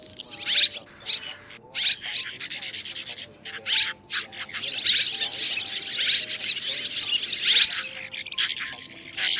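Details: Swiftlets twitter in dense, high, buzzy chatter with bursts of rapid chirps every second or two over a faint low hum: a roosting call mixing three kinds, white-bellied, banded and brown-grey swiftlets, calling the flock to roost.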